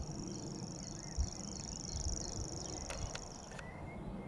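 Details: At Totteridge Valley on 6 May 2017 a grasshopper warbler delivers a sustained, high, evenly pulsed reel for about three and a half seconds before breaking off, with a few sharp clicks and steady wind noise.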